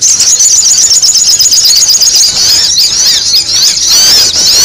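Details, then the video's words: Sogon calls played to lure birds: a brief stretch of intense, high-pitched squeaky chattering with rapid overlapping twitters, steady and loud throughout. "SUARA SOGON RIBUT UNTUK PIKAT"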